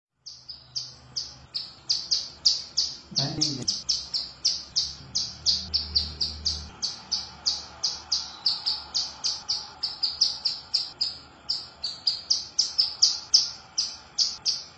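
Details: Female bar-winged prinia calling to the male: rapid series of short, high chirps, about three per second, steady and continuous, with a brief low thump partway through.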